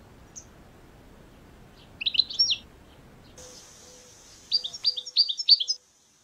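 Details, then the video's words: European goldfinch in the wild, away from cages: a short twittering phrase, a pause, then a faster run of bright, high chirping notes; faint low hum in the background. "la vie du chardonneret dans la nature 🐦 حياة الحسون في البرية"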